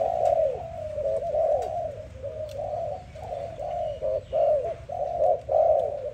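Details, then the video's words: Morning cooing of a dove, steady low hollow notes strung closely together, the phrases growing louder toward the end with short pauses between them, faint distant bird chirps behind. "Dove lovely sound -morning sound of dove"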